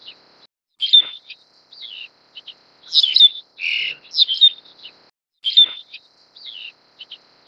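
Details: Black-collared Starling (Gracupica nigricollis) feeding its chick, giving high, squeaky chirps and a harsh rasp in three clustered bursts a couple of seconds apart, with short quiet gaps between.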